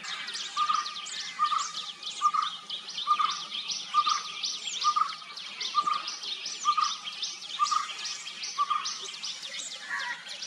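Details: A White-cheeked barbet (Psilopogon viridis) calls: a steady series of low, throaty notes, about one per second, over busy high chirping from other birds.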